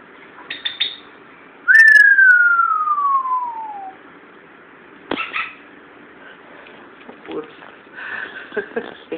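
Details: A chatty 14-year-old male Timneh African grey parrot, recently moved to a new house, gives one long, clear whistle that slides smoothly downward over two seconds, then soft clicks and chatter follow.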